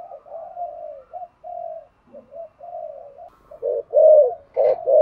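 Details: Spotted dove cooing in 'giọng thổ' style to stir other doves into cooing; soft, drawn-out, low murmuring coos run together, ending in louder, fuller notes.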